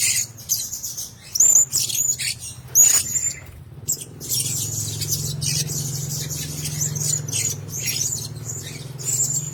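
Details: Caged Blue-crowned hanging parrots kept together give a few sharp, high squeaky chirps, then a steady thin twittering over a noticeable low droning hum.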